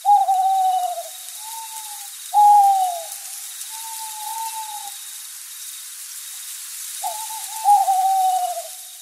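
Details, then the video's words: Owl calling at night, played in a children's geography lesson: a series of hoots, each a loud falling note followed by a quieter drawn-out tone, in three bursts about two to four seconds apart, with light hiss throughout. "Será que você já ouviu esse som de coruja?"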